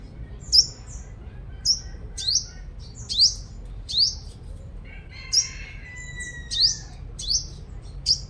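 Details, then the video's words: Five-colored sunbird lure bird, described as a powerful singer, Long Thành, Đồng Nai, Vietnam: regular high, upward-sweeping and down-slurred notes about every half second, plus a lower drawn-out whistle near the middle. "Chim Hút Mật 5 Màu Mồi Siêu Hót"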